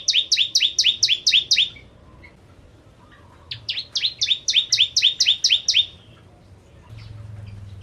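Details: Actively singing bar-winged prinia, known as Javan prenjak, used as a lure for ciblek kristal: two runs of about ten quick buzzy two-part notes with a pause between, faint low hum at the end.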